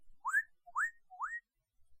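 Northern Cardinal song: three clear, slurred whistles sweeping upward, delivered about twice a second in a steady series. No other sounds.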